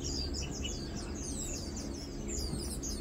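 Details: High, thin chirping from lowland white-eyes while feeding on 2 August 2022: short tweets overlapping in quick succession with no gaps, over a low background rumble.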